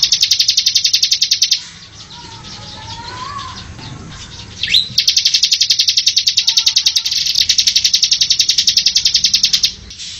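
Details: Bar-winged prinia song used as training material for cage birds: a fast, loud run of high sharp notes, about three per second, broken by a quieter pause with faint lower whistles before the rapid series resumes.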